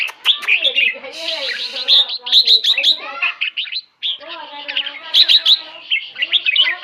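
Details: A caged red-whiskered bulbul from Hat Yai, Thailand, pours out quick, warbling chirps in two bursts split by a brief pause, with a man speaking underneath.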